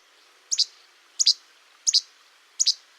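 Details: Least Flycatcher gives its innate two-note che-bek song, a sharp, high, snappy pair of notes repeated about every 0.7 seconds, four times in all. The song is given mostly by males in the breeding season, in territorial and courtship contexts.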